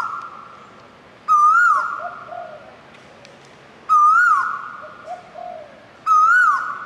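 Asian koel giving loud, clear whistled notes that dip then swoop upward, repeated about every two and a half seconds over a steady, faint background hum.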